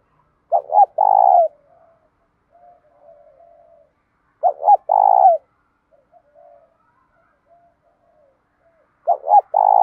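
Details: Spotted dove cooing used to train and provoke other doves, in the 'đồng pha tí thổ' voice: phrases about four seconds apart, each two clipped notes and then a long rich coo, the last phrase cut off, with quiet murmuring between.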